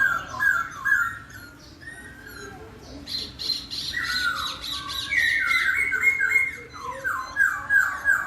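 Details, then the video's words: Laughingthrush singing melodiously, said to make other laughingthrushes answer within a minute: clear whistled phrases, then harsh squawking chatter mixing with renewed rising and falling whistles, against a noisy hissing background. "KICAUAN POKSAY YG MERDU MEMBUAT POKSAY LAIN LANGSUNG NYAUT"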